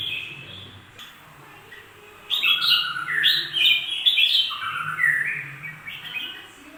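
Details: Bulbul starts after a quiet opening with a lively burst of bright whistled notes, many falling in pitch, forming a rich warbling phrase lasting several seconds; a soft low hum continues throughout.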